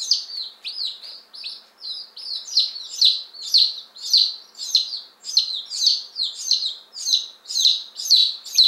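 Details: One-day-old Appenzeller Spitzhauben and White Crested Blue Polish chicks, just delivered in May 2015, calling insistently; loud, high peeps dropping in pitch come in pulsing bursts roughly every half second.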